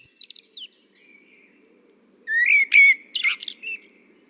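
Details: Common blackbird song with a brief high squeaky note, a soft low whistle, then a louder fluty phrase broken by squeaky, twittering flourishes. Long quiet pauses separate the parts.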